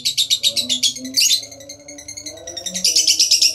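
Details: Lovebird ngekek chatter used as a lure for other lovebirds: quick shrill pulses, then a softer, quieter stretch, then a renewed loud high trill.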